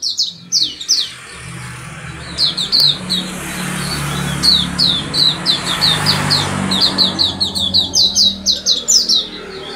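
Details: Continuous high-pitched twitters and chirps from an oriental white-eye singing a chatty, distinctive song, notes tumbling in quick irregular clusters above a hissing background rumble.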